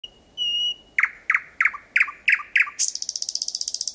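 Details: Thrush nightingale singing at night, 01:23 on 8 May 2020, Kiili parish, about 4–5 metres away: a long pure whistled note, then six sharp repeated clicking notes, ending in a fast high rattle.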